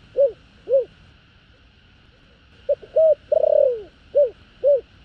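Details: Spotted dove's 'thổ đồng' coo meant to stir wild doves: two closing coos, a pause, then a full phrase of quick notes, a long falling coo and two spaced short coos, with a faint continuous hum.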